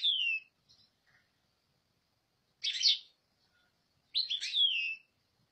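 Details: European goldfinch giving scattered high twittering phrases, a descending slurred note, then two denser jingling bursts after a long quiet gap.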